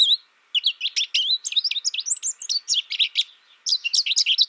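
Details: Dense, energetic twitter of high chirps and sliding notes from an American goldfinch, nearly unbroken apart from brief gaps near the start and just past three and a half seconds.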